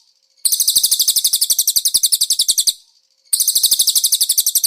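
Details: Konin voicing cililin-type phrases for a master recording: fast, regular high-pitched chattering notes in two long bursts with a short silence between.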